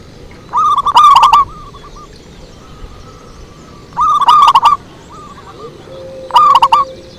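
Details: Zebra dove song used to lure. Three loud, throaty, stuttered coo phrases come about three seconds apart, each trailed by softer notes, with a faint steady hum late on.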